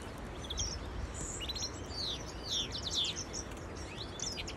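Goldfinch song: quick, bright twittering and tinkling notes with buzzy trills, tangled with a canary singing alongside over a steady background hiss.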